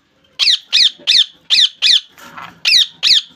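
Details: Rose-ringed parakeet kept as a pet, screeching a rapid run of eight raspy squawks, nearly three per second, with a brief noisy rustle in the middle of the series.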